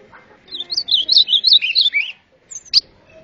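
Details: Golinha singing an azulão-style song: a quick run of high, sweet, twisting whistled notes lasting under two seconds, then a short sharp upslurred note.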